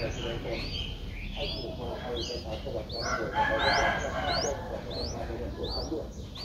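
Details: Seven-day-old Streak-eared Bulbul nestling, just opening its eyes, in Ubon Ratchathani, Thailand, on 9 April 2023, giving thin, rising squeaks about every two-thirds of a second over low background rumble with faint fowl and voices.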